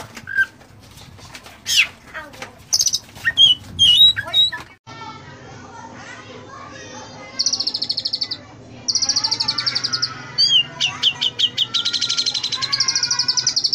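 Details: Oriental magpie-robin training song with fill-ins: opening varied whistles and chips, then long runs of fast, evenly repeated high buzzy trill notes, with faint background noise.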